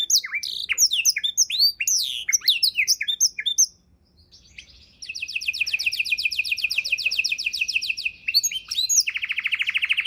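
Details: Canary delivering a varied tutor song for songbirds: a burst of quick looping whistles, a short pause, then a long even trill of repeated notes ending in a low buzzy rattle.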